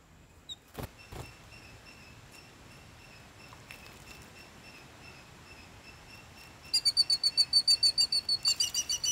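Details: A white-browed bulbul bathing in a garden: a few soft splashes, then a fast, bright chatter of about six sharp notes a second, over a steady high whine.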